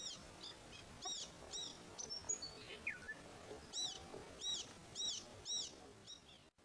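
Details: Inland thornbill in Australia giving sharp, high chipping notes in loose bursts, with one thin whistle sliding downward midway; faint background hiss.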